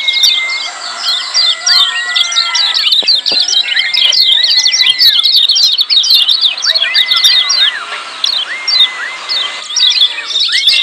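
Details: Lemon-bellied white-eyes calling loudly and busily, as training audio for caged birds: a continuous wash of rapid, high-pitched chips and twitters from many birds, with repeated lower whistles that rise, hold, then fall, recurring every few seconds.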